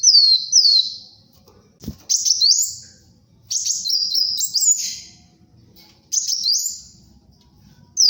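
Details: Sunbird song used as a tutoring and luring recording, delivered gacor style: five bursts of sharp, very high whistles, some rising and some falling, each about half a second long with gaps between, and a faint click near the start.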